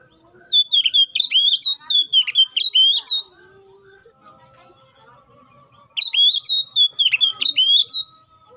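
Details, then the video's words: Singing Oriental magpie-robin meant to challenge a rival: two bursts of loud, high, whistled and slurred notes separated by a pause filled with soft, faint lower tones. "KACER GACOR NGEPLONG❗MEMANGIL LAWAN PALING AMPUH BUAT PANCINGAN KACER BIAR CEPET GACOR!"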